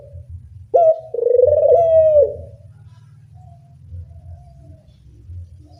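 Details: A single loud puter dove coo for training doves: a sharp rising start and a drawn-out wavering tone. Quieter murmurs and a steady low hum follow.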